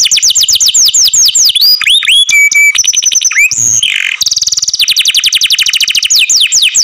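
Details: Loud song of a canary kept in care: rapid falling whistled sweeps, a held flat note, rolling buzzy trills, then long runs of quick repeated sweeping notes.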